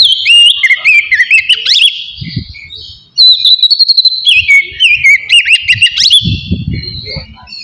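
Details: Kacer, the Oriental magpie-robin, singing a calm but full song meant to trigger rivalry and breeding urge: wavering whistled runs with quick ornaments, a short silence, then more varied whistles, with soft low knocking sounds.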